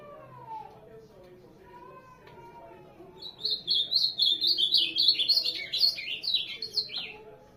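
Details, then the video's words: Ultramarine grosbeak, known as azulão, opening with quiet lower slurred notes, then bursting into a rapid, loud string of high warbling whistles that rise and fall, roughly four notes each second. "azulão, tornado"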